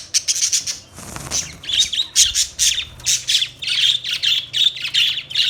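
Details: Budgies give a run of quick, rhythmic buzzy chirps, roughly two to three per second, after a short scratchy opening, steady grating warble throughout.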